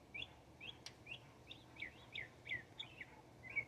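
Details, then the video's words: Northern mockingbird in Texas, a bird said to chase hawks from its territory: a series of short, bright chirps and slurred whistled notes given about every half second, with faint low background hum. "Texas Mocking Bird Song"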